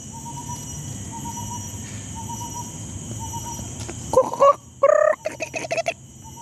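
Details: A red junglefowl at the Singapore Botanic Gardens gives a loud, harsh, broken call of several short rasping bursts near the end, preceded by faint repeated whistled notes from another bird.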